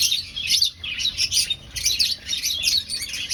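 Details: Colony of aviary finches during breeding, finding a nest: clear, bright high chirps and squeaky twitters in quick clusters separated by brief pauses, close and loud, with little background noise.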